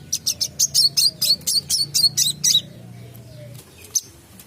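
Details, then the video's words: A wiceh in full song for song-training, a fast run of about eleven high, sharp chirps in under three seconds, then a pause before one last chirp, over a faint low hum. "Burung WICEH gacor MBESET"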